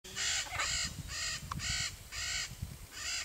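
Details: Blue-and-yellow macaw in Brazilian Cerrado trees, giving loud harsh raspy squawks, about six drawn-out rough calls each near half a second, spaced by short gaps, with faint low background rumble.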